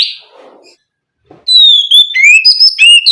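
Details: Oriental magpie-robin (kacer) singing in loud, full 'ngeplong gacor' style, used to prompt other magpie-robins to answer. After a short noisy hiss and a pause, rapid clear whistled notes begin, sliding up and down in quick bursts.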